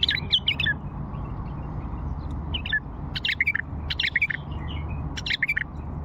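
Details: Old Fawi bulbul singing in scattered bursts of sharp, quick chirping notes separated by short pauses, against a constant low background rumble.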